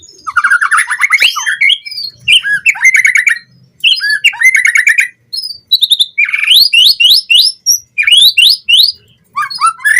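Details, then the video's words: White-rumped shama song used as a fast lure for training captive birds to sing with full song content: rapid varied phrases of rising whistles, harsh squawky notes and buzzy rattles in loud bursts separated by short pauses. "Pancingan Murai Batu Cepat BONGKAR ISIAN Buat Masteran Suara Burung Murai Agar Gacor Full Isian"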